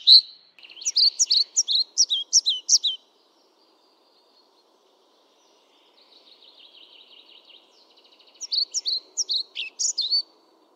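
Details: European pied flycatcher singing two bursts of quick, high, sweet notes with sharp pitch jumps, separated by a pause of several seconds filled with a faint, softer buzzy trill.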